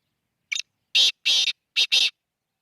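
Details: Black francolin calling, a run of five harsh, grating bursts: one short note, then two longer rasping notes, a pause, and a closing pair, loud and dry against silence.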